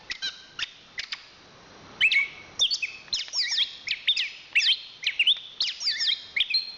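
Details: Champion Chestnut-capped thrush from Southeast Asian forests opens with a few spaced chirps, then launches into a loud, continuous jumble of twisting whistled notes and sharp tweets.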